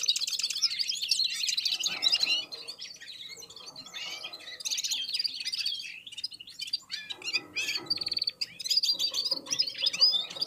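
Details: Red-fronted serins warming up and singing in unison with other birds: dense, overlapping high twittering and buzzy trills in fast bursts, with brief quieter gaps and soft lower chatter beneath.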